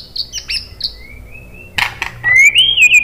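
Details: White-rumped shama song used to coax other birds to answer: high thin whistles and a soft level tone, sharp clicks, then a loud rising, wavering whistle.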